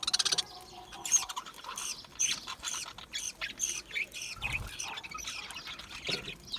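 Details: Budgerigars, small Australian parrots, giving rapid harsh squawks and chirps in dense, rhythmic bursts, nearly continuous throughout.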